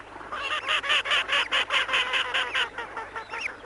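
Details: Grey Teal giving its chuckling call, one of the commonest wetland sounds: a rapid series of nasal, quacky notes, about two or three per second, slightly uneven in pitch and spacing.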